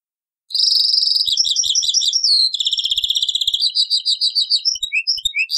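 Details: European goldfinch taqsrain-style song from an old cassette tape: a continuous high, rapid twitter of tinkling notes and buzzy trills, shifting to a quick stuttered series of chips near the end, with light clicking in the background.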